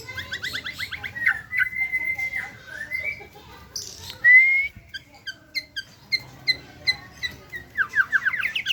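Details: White-rumped shama singing with fast descending note runs, a long steady whistle, a rising whistled slur, then spaced sharp chirps and a closing rapid trill.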